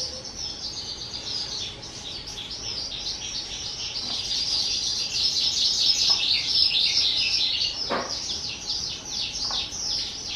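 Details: A two-year-old captive skylark, recorded 18 April 2023, pours out a continuous, high, rapid warbling song of trills and chirps, with a few sharp clicks in the background.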